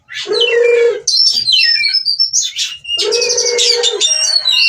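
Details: Oriental magpie-robin in breeding condition, wanting to mate, at a Cirebon breeder: two harsh, nasal, droning notes bracket a run of high thin whistles and quick twittering.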